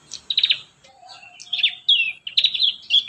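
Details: Prinia song played as a lure to train young prinias to sing: loud chirping bursts of rapid, buzzy high notes, separated by short pauses, with a faint lower whistle in the middle.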